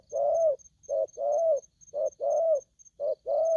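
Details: Close, loud cooing from an aggressive young wild-caught spotted dove: clipped short notes alternating with fuller, bending longer coos at roughly one per half second, accompanied by faint rhythmic high beeps.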